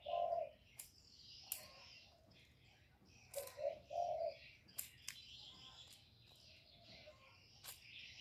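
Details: Decoy spotted dove giving its calling coo to draw wild birds: the end of one low phrase, then a full short-short-long hollow coo, with scattered clicks and chirping birds behind.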